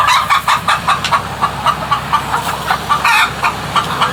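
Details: Chickens making weird noises: a rapid run of short, harsh clucks, about four each second, with a low mechanical hum underneath.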